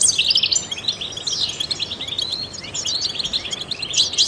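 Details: Trained European goldfinch song used to encourage other songbirds to sing: lively, liquid twittering with descending sweeps and clustered chirps flowing without pause.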